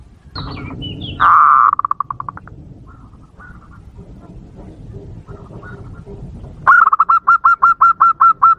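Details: Lure call of the zebra dove, meant to stir wild doves: a loud fluttering trill of notes that fades away, then quieter faint notes, and finally a sharp series of about ten evenly spaced staccato coos, over low background rumble.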